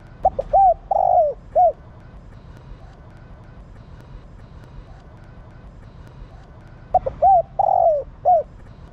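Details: Female spotted dove cooing to stimulate males: two bouts of a few short rising coos followed by a longer drawn coo and a final clipped note, about six seconds apart, over low background hum.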